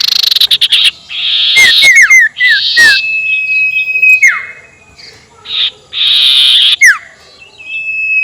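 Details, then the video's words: Sirtu ngekek call used to provoke rivals: bursts of rough, rapid chatter mixed with falling whistled notes and long flat whistles that drop sharply at their ends. "SUARA NGEKEK SIRTU BIKIN LAWAN EMOSI || PANCINGAN SUARA BURUNG SIRTU"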